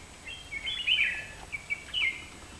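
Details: Asian fairy-bluebird calling: a few bright whistled notes, some sliding downward, given in two short clusters separated by a brief pause, over a quiet background.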